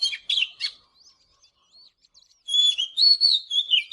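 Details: Oriental magpie-robin in the morning giving a few sharp chirps, a near-silent gap with soft twitters, then a loud run of clear sliding whistles.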